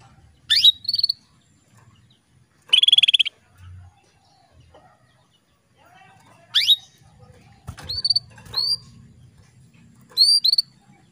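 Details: Female canary calls used to rouse a male into breeding condition: high upswept notes and harsh buzzy bursts come in short clusters every few seconds, with quiet rustling and clicking in the background.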